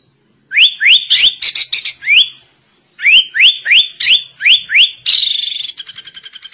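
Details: Two bursts of crisp rising whistled upsweeps, each run of about five notes, from a sooty-headed bulbul singing like a white-rumped shama, ending in a fading buzzy rattle.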